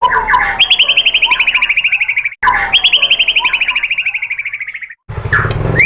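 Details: Murai batu (white-rumped shama) lure song used as rapid-fire material to make a shama reply. A fast, steady trill of bright notes, about four per second, repeats twice, ending with a short squeaky phrase.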